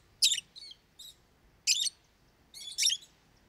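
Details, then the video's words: Lovebird, a pet parrot, giving a few harsh, raspy high squawks spaced about a second apart over a soft background hiss. "Как поёт неразлучник"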